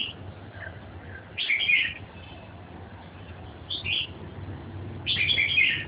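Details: Red-whiskered bulbul repeating short warbled phrases every couple of seconds, each a quick cluster of bright whistled notes, over a low background hum.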